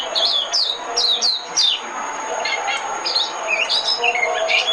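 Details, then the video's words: Decoy song of a white-eye: bright, high, descending chirps in fast bursts, then softer, scattered notes. A hissing background and a thin steady whine sit beneath. "Tiếng chim mồi - Tiếng chim khuyên mồi hay nhất 2017"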